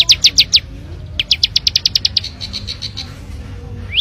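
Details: Bar-winged prinia, wild, singing in the loud, clear ngebren style that sets other birds singing: rapid series of sharp, high, descending chirps in quick bursts, then a softer run of steady repeated notes, over a low background hum.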